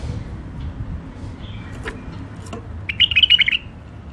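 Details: Hybrid finch in its first isolation: a few scattered faint chirps, then a fast run of high, clipped twittering notes about half a second long, over low steady background noise.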